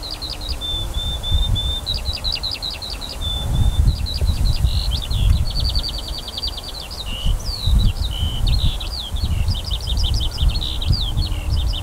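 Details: Skylark song over a barley field on 28 June 2018, summer: an unbroken high-pitched outpouring mixing long level whistles, rapid rattling trills and twisting slurred notes, with steady low wind rumble.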